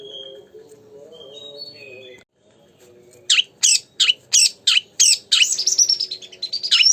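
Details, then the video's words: Kacer (oriental magpie-robin) in vigorous song as bait for another magpie-robin. After soft distant whistles and a brief silence, six loud harsh notes repeat about three times per second, ending in a rapid whistled trill. "pancingan burung Kacer gacor"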